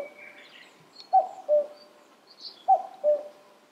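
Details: A Common Cuckoo at Senjogahara, Oku-Nikko, Japan, on 13 June 2022, gives its mellow two-note "cuck-oo", falling from the first note to the second, twice about one and a half seconds apart, with faint chirps from other birds.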